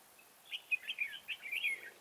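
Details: Decoy red-whiskered bulbul luring birds toward a trap with a fast, bubbly song phrase of about eight clear whistled notes, sliding up and down and ending in a falling slur.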